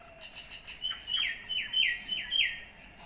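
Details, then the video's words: A Common Myna in Assam, India, gives a quick run of five or six clear, down-slurred whistled notes, about three a second, after some faint high chirps. "Common myna"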